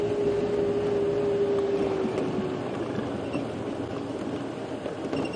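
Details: A vehicle engine hums under a fading tonal whine, with a steady low rumble and no animal voices.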